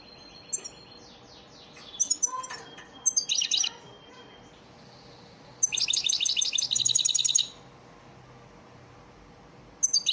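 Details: European goldfinch of the elmacık type giving a lesson song for caged birds: thin whistles and scattered chirps, then a long dense burst of rapid buzzy trills, ending with a sharp chirp.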